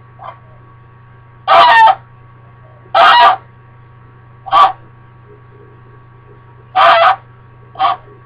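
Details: Indoor pet female American Buff goose wearing a diaper harness, honking because her owner is leaving: six loud, harsh, nasal honks at irregular intervals, some long and some clipped, over a steady low hum.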